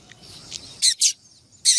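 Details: Female double-collared seedeater calling to get a male singing: three loud, short, high chirps in quick succession after faint softer notes.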